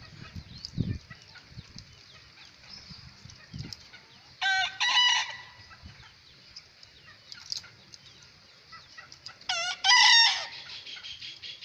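A young bekisar gives two shrill, short crows, each a quick harmonic burst, about five seconds apart.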